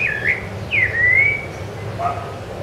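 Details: Rufous-bellied thrush (Turdus rufiventris) on Ilha do Governador, Brazil, January 2013: a couple of smooth whistled phrases, one starting high and sliding down into a long even note, then a faint lower phrase against background hum.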